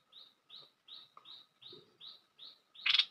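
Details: Bulbul lure call used for trapping birds: a series of eight short, high chirps spaced about a third of a second apart, ending in a louder, harsh burst, over a faint steady low hum.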